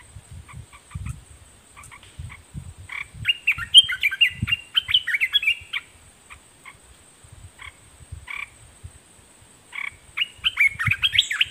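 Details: Red-whiskered bulbul kept as a decoy, singing at wild birds: bursts of short, bright warbled notes that rise and fall, with a fuller phrase near four seconds and another near ten, separated by sparse single chirps and soft low knocks.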